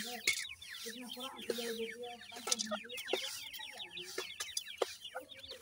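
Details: Brood of young grey partridge chicks cared for by the adults, peeping constantly in quick falling chirps, with steady lower hums and occasional sharp clicks among the chatter.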